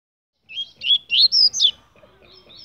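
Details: Double-collared seedeater, a captive bird of the fibra type, singing a short burst of clear high whistled notes, rising and slurring upward into a final sharp descending phrase.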